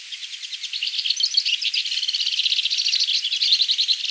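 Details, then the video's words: Bearded siskin, a seed-eating species resident in Argentina, Chile and the Falkland Islands, singing a fast, continuous twittering song of rapid chirps and buzzy trills, about three or four notes per second, without pause. "O canto do Pintassilgo de gravata"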